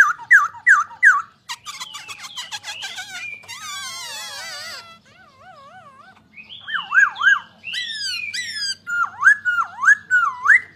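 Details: Poksay Hongkong, or masked laughingthrush, mixes quick looping whistles, a dry chattering trill, buzzy descending phrases, soft wavering warbles, then a loud sequence of swooping dipping whistled notes.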